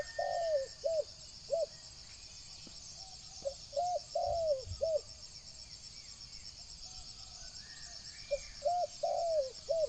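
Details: Spotted dove cooing to lure wild doves: clusters of short, hooting, arched coos with occasional longer notes, repeated in groups over several seconds. A continuous high insect drone is heard throughout.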